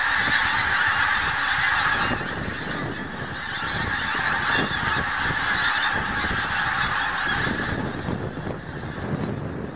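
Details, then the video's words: Huge gathering of geese calling at dawn at Snettisham. Countless honking voices merge into a thick, steady roar that swells and dips slightly over ten seconds, with no other sounds standing out. "Snettisham Geese"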